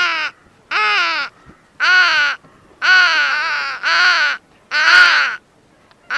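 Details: Crow cawing: six harsh, drawn-out, nasal caws, each about half a second long, given roughly once a second with short silent gaps. No other sounds are heard.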